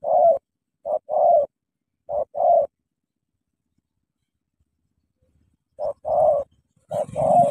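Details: Spotted dove, a Cà Mau decoy bird, repeating two-part husky coos, short note then sustained rolling note, four phrases with a long silent gap; a light rustle or noise joins the last phrase.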